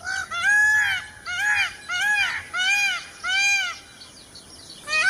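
A peacock gives five loud, nasal, wailing calls, each arching up then down, about one per second, with a sixth starting at the end.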